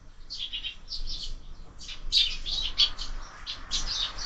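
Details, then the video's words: Quarrelling sparrows at a feeder fixed to a window, fed all year round; dense bursts of overlapping harsh chirps and squabbling notes, several birds calling at once. "Воробьи в кормушке - драки, драки"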